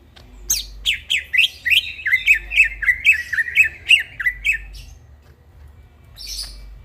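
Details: Greater green leafbird singing in the middle of the night: rapid run of harsh, squeaky slurred notes repeated several times a second for about four seconds, then a brief scratchy note after a pause.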